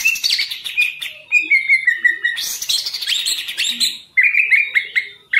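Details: Green leafbird song from a kept bird: a varied, loud run of whistled phrases, slurred descending notes, harsh buzzy chatter and sharp chips, shifting rapidly between motifs.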